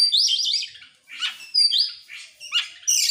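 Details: Oriental magpie-robin singing in excitement with tail open: dense buzzy, scratchy phrases laced with high whistles, delivered in three or four loud bursts with brief dips in between.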